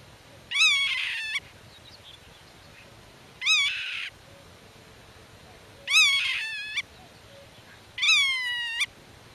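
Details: Black-tailed godwit defending its nest and territory against intruders while talking with chicks hidden in the grass: four nasal, harmonic-rich calls, each dipping then levelling off, spaced about two and a half seconds apart over a quiet background.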